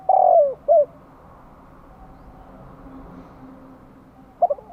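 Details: A spotted dove in Vietnam gives a lure call meant to attract wild doves. A long mellow coo falls away, a brief coo follows, then a pause before the next phrase begins with quick stuttered notes.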